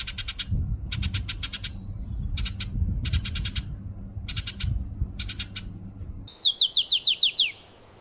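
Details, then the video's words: New Holland honeyeater giving bursts of high, scratchy chattering notes about every half second, ending in a run of quick descending whistles, over low rumbling background noise. "Holland Honeyeater birds"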